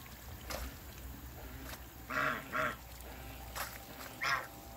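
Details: A backyard pair of African geese among waterbirds: a few spaced, nasal, harmonic honks, two close together midway and one more near the end, over constant background hiss and hum.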